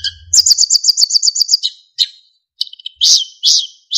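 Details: Narcissus flycatcher song used to train songbirds, with fill-ins and clear whistles: a fast run of about ten identical high notes, then scattered chirps and two long buzzy whistles.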